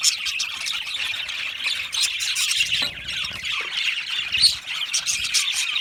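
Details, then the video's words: Constant high chatter from a flock of budgerigar parrots in an aviary, raspy squawks mixed with quick chirps, one sharp squeak toward the end. "Australian Budgie parrot chirping sounds"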